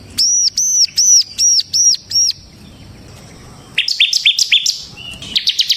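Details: Bar-winged prinia in full, energetic song, used as a lure for other prinias and as a tutor song: six loud arched whistled notes in quick succession, a short pause, then a run of sharp high chirps and a brief final trill.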